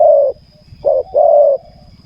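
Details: Spotted dove at a ground decoy, the tail of a long coo, then a short coo and a long level coo, over a low buzzing hum.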